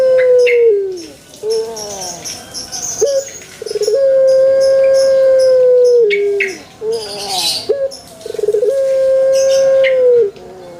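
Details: Male Barbary dove calling repeatedly: falling curved notes and brief rising coos lead into long steady drawn-out coos, three cycles in all, with faint hissy background noise.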